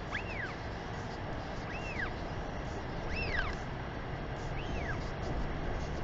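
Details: Northern royal albatross mother greeting her chick with a sky call at a nest in New Zealand, 28 March 2021, afternoon, before feeding it; four arching, whistled notes rising then falling, spaced about 1.5 seconds apart over steady wind roar.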